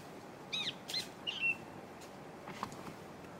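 Black bulbul giving three quick, squeaky, slightly nasal notes in about a second, then a fainter note after a pause, over steady low hiss.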